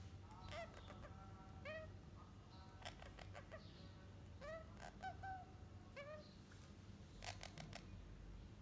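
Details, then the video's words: Parrot chicks in their fourth week: repeated short hoarse calls that dip and rise, some in quick pairs, scattered through the clip over a low steady hum, with a few clicking knocks. "Healthy Parrot Chicks in 4th week"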